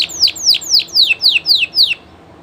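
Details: Spanish Llarguet canary, a well-known breed, singing live: a series of seven clear whistled notes, each sliding sharply downward, evenly spaced about every quarter second, then a quiet pause.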